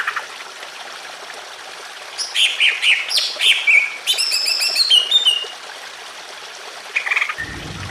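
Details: Greater green leafbird song beside running water: harsh buzzy phrases, then a fast metallic trill and a shorter scratchy burst, ending with a low rumble.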